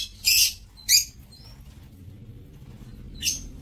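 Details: Lovebirds kept in an aviary, recorded on 7 April 2024: two harsh, high screechy bursts close together, a thin rising whistle, then a third shrill burst after a pause, over low background rumble.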